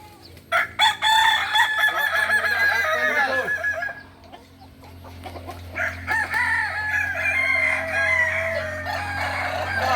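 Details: Kukuak Balenggek roosters at a crowing practice contest in Ampang Kualo, Solok, May 2024: a long harmonic crow with a stepped, wavering series of notes, then a second drawn-out crow over background murmur and other birds.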